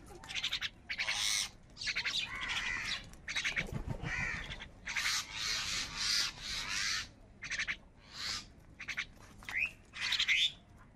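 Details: Crows in a fight over food, heard as harsh, noisy squawks and caws in quick irregular bursts, with a low thump partway through.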